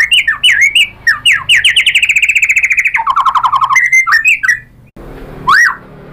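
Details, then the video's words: White-rumped shama singing as a lure: fast chattering whistles leading into a long rapid trill, a lower buzzy trill, then a pause and one rising whistle. "bikin NYAUT ‼️ MURAI BATU jadi EMOSI GACOR BONGKAR ISIAN ¦ PANCINGAN MURAI"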